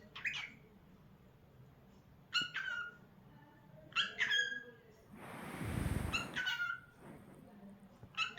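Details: Pet cockatiel indoors uttering repeated harmonic squawky whistles, pairs of short notes every one to two seconds, interrupted midway by a loud rustling noise burst, with faint low hum throughout.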